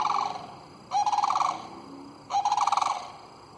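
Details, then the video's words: A flock of about 27 Sandhill Cranes, more than the recordist had seen there before, gives loud, rolling, trumpeting rattles in two bursts about a second and a half apart, with voices overlapping. "Sandhill Cranes calling sounds"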